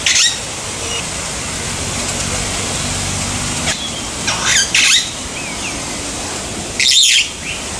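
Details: Long-tailed glossy starling at Umgeni River Bird Park, Durban, on 12 December 2015, gives loud harsh squawks in short bursts several seconds apart, over a constant roar of traffic.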